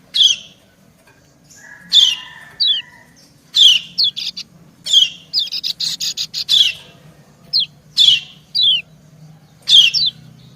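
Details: White-eye, a female calling to entice the male: sharp high chirps about every second, mixed with quick downslurred whistles and a short buzzy rattle, over a faint hum.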